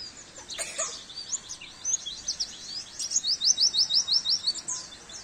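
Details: Oriental white-eye song from a masteran training recording for caged birds: high, rapid twittering with sweeping chirps, then a run of about eight clear, evenly spaced repeated notes near the end, over faint background hiss.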